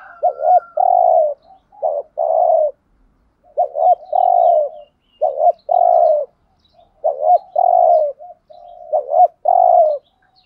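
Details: Spotted dove (Spilopelia chinensis) used as a decoy, cooing to lure other doves: low, hollow phrases, a short note or two then a longer mellow coo, repeated about every two seconds.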